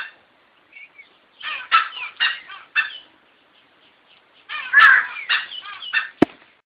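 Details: A grey junglefowl calls in a series of rough, clipped syllables, rising to a louder, strained burst followed by trailing notes, then a sharp click, with silence between phrases.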